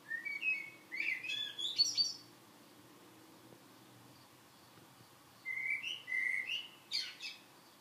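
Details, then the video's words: Common blackbird singing: two phrases separated by a pause, each opening with mellow fluted notes and ending in a high, squeaky twittering flourish. "Kos / Blackbird / turdus merula"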